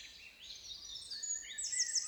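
A Eurasian wren sings a rapid, high run of bright notes and fast trills, with no other sounds alongside.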